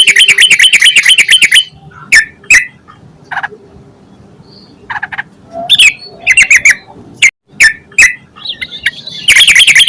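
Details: Yellow-vented bulbul, a lure to get other bulbuls singing: quick chattering series at first, then scattered sharp chips and short buzzy notes, and the fast chatter returns at the end.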